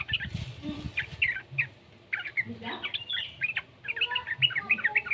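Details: Young yellow-vented bulbul whose voice serves as a lure to make other bulbuls sing: clusters of sharp, high chirps broken by short pauses, with a low muffled rumble underneath.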